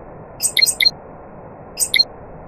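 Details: Nightingale singing with other birds around: a quick trio of sharp, high chirped notes, a pause of about a second, then a single similar burst, over faint steady hiss.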